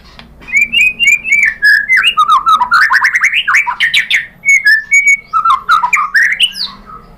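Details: White-rumped shama (murai batu) song used as a lure to provoke other shamas to sing: loud varied whistled phrases, rising and falling slurs and rapid chattering notes in quick succession, with a faint low hum behind.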